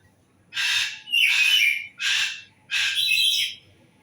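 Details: Bird delivering four loud, grating, raspy calls about half a second to a second apart in a rough, irregular rhythm; the background is quiet apart from faint low noise.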